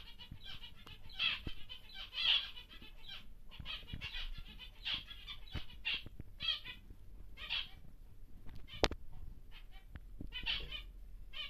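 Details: Large caged male zebra finch of the normal grey variety, kept for breeding: a series of short nasal, buzzy notes repeated roughly every second, with faint clicks and rustling between them.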